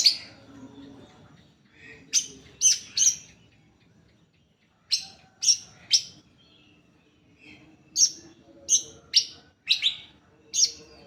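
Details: Greater green leafbird song used as a lure to prompt other leafbirds to sing: bright, high, sharp chirps in quick clusters of two to four, separated by short quiet pauses, with a faint low hum underneath.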